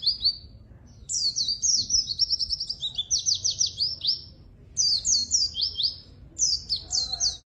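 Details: Energetic white-eye song meant to lure and train quiet white-eyes: very high, sweet twittering phrases with fast trills of downslurred notes, separated by brief gaps, a soft rumble beneath.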